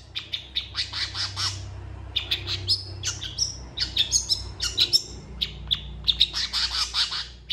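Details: Long-tailed shrike performing its energetic mimicking song, used to train other shrikes and said to copy cats and chickens. Continuous mix of scratchy chatters, sharp chirps and short whistles with a faint low hum behind.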